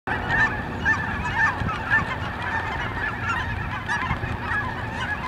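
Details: Migrating geese at Brookwood Park, many birds honking together in a dense, overlapping chorus of nasal calls, steady throughout, over a low rumbling background.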